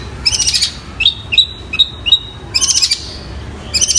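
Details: Long-tailed shrike in energetic song, mimicking fighting sparrows and a kingfisher: bursts of rapid, high twittering notes alternate with short, sharp rising whistles, repeated with brief pauses between phrases.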